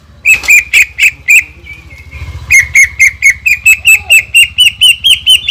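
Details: Greater green leafbird 'tembakan' song used as a lure: a handful of loud, clipped ringing notes, a soft trailing note and a low rumbling background, then a long steady series of sharp notes about four per second.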